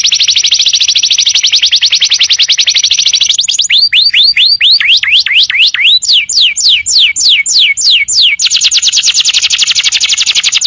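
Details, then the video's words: Tutor recording of canary song for teaching untrained birds. A fast, steady high trill runs for over three seconds, then turns into slower swooping rising and falling whistles, and ends with another rapid even trill. "audio masteran kenari"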